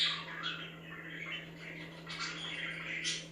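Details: Budgerigars chirping to make other budgies active: continuous scratchy, warbling chatter with rising squeaky notes and a sharper chirp near the end, a constant low hum underneath.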